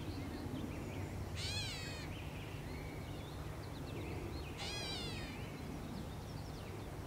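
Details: Gray Catbird in Canada giving two nasal, cat-like mews, each a harsh downslurred note about three seconds apart, over a low steady rumble with faint chips from other birds.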